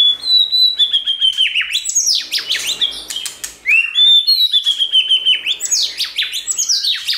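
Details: White-rumped shama singing to trigger song in another shama: long descending whistled phrases that end in steep downward sweeps, mixed with rapid chattering and ticking notes, repeated twice.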